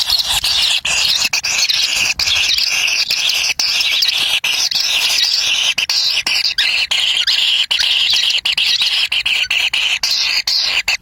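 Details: Wild kingfisher nestlings scramble for food as a parent delivers a black lizard to the nest. A continuous, rasping, high buzz of overlapping chick voices holds steady throughout, broken only by tiny pauses.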